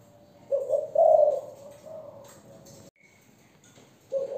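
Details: Thổ-voice coo from a young Malaysian spotted dove hen: a short burst of low, throaty, rolling coos that fades out, a quiet gap with a faint thin tone, then a fresh coo begins.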